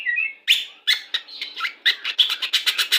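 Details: White-rumped shama, Pastol type, song for pairing to hasten breeding condition; a soft warbled whistle opens into loud, sharp clicking notes repeated several times a second.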